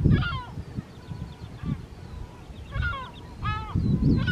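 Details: A pair of lesser black-backed gulls beside the breeding colony at Rottumerplaat, Netherlands, early June 2023: short bursts of hoarse, stacked yelping calls in separate groups, with strong low wind buffeting between them.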